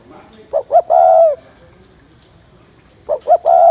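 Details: Spotted dove cooing to excite males: two short rising notes followed by a longer drawn-out coo, the phrase repeated after a pause of about one and a half seconds, with quiet background.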